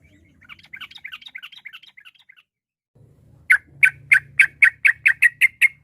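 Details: Sooty-headed bulbul with varied song intended to draw rivals into reply. Soft quick chattering comes first. After a pause, a loud series of about ten sharp, clipped notes follows, roughly three per second.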